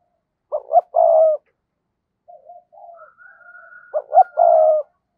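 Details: Spotted dove decoy cooing to attract wild doves. Two low cooing phrases, each two short clipped notes and then a drawn-out hum. Quieter murmuring and a thin, high, level whistle sound in the gap.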